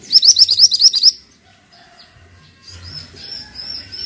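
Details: Pied triller singing actively: a fast run of seven or eight bright, high, evenly repeated notes in about one second, followed by quiet, then thinner high whistled sounds and soft low background noise.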